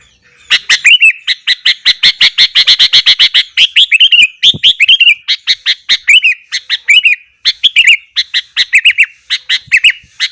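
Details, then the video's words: Sooty-headed bulbul singing hard in the morning, meant to provoke other bulbuls: a long, dense run of rapid bubbly chirps with sharp clicks, then shorter repeated bursts of warbling notes. "burung kutilang gacor kesetanan yakin bikin tilang lain langsung naik emosi"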